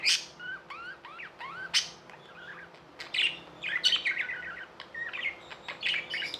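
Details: Budgerigars chirping busily: clear upward-sweeping whistles repeated several times, followed by dense warbling chatter and squeaky notes from more than one bird.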